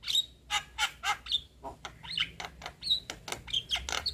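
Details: A white-eyed Javan myna chatters fast, with harsh, scratchy bursts about three per second mixed with bright, high whistled notes. The call is used as a lure to stimulate mynas that have stopped singing.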